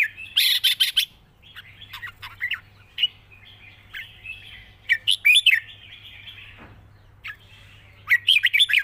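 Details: Red-whiskered bulbul in a long song with wild-style phrasing, mixing singing and rik notes. Loud clipped whistled bursts open and close a passage of softer wavering warbles, over a steady low hum.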